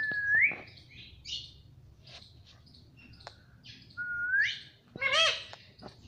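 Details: Talking pet Indian ringneck parakeet: two clear, upward-sweeping whistles with scratchy chatter between, then a loud harsh squawk. Repeated "mommy"-like syllables and music are heard nearby.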